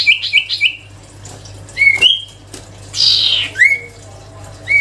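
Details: Active singing from a sirtu songbird: quick bright whistled notes at first, then clear rising slurred whistles and a harsh buzzy phrase, with faint background hum.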